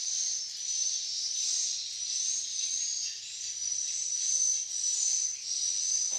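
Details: Malaysian swiftlets producing a shrill, steady chatter with a thin high whistle laid over it, pulsing gently in loudness every second or so.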